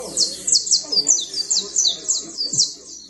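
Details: Fine canary trilling, a creole canary: bright, high notes in quick descending sweeps, repeated about every half second in a steady run, with faint low background murmur.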